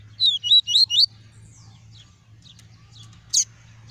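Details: Tuí tuí style song of a caged double-collared seedeater, played to stimulate other seedeaters: four quick, high slurred whistles in about one second, then quiet with soft faint chips and one sharp high note near the end.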